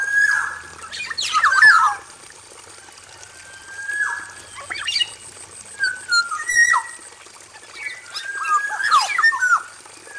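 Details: Male Black-naped oriole singing in an aviary cage: clear fluted whistles near one to two thousand cycles that slide downward, broken by harsh raspy bursts, in phrases spaced a few seconds apart over a steady high insect-like hiss.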